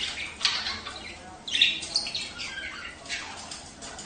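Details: Budgerigar warble used to stimulate mating: busy chirps and squeaks, a loud whistled squawk in the middle, then softer chattering bursts.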